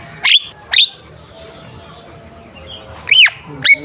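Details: Javan myna (jalak kebo) song for contest preparation: two sharp descending whistled calls, a quiet pause, then two more loud arched whistles.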